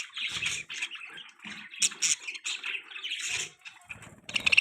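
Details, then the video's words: Baby budgerigar perched on its owner's hand, giving a run of short, bright chirps and twittering notes in quick bursts, with soft handling rustles between calls. "Beautiful Baby Budgie Chirping sound"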